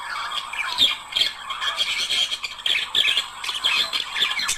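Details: Budgerigar pair warbling, sound used to stimulate singing and mating; continuous chattering warble of rapid squeaky notes and short chirps, with sharper clicks near one, three and four seconds.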